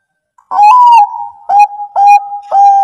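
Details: Bangkok-type zebra dove song, used as a lure to prompt reluctant doves to sing back: an opening rising-falling coo followed by three shorter clipped mid-pitched coos, each starting with a sharp attack and rough overtones.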